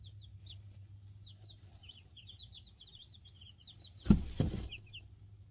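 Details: Young chicks, two weeks old, in a brooder, captured with a cell phone: a long string of thin high peeps runs almost continuously, broken by two loud knocks near the end, with a low hum throughout.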